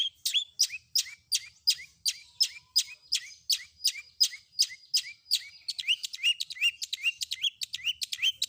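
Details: Long-tailed shrike, a caged songbird, in a combination 'isian' filler-song training recording meant to make other shrikes answer: rapid high downslurred chirps repeated about three times a second, speeding into denser chatter near the end.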